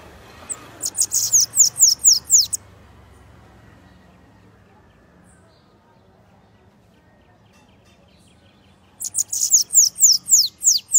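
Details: Two bursts of bananaquit song in the Costa Branca style, each a quick series of high, sharply falling buzzy notes at about four per second, separated by several seconds of near silence with faint low hum.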